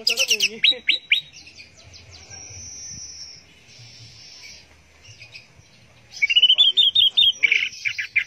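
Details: Orange-headed thrush song in the style called teler: bright, fast chirps and rising whistles, a long level whistled note, a quieter pause, then a burst of rapid sweeping trills.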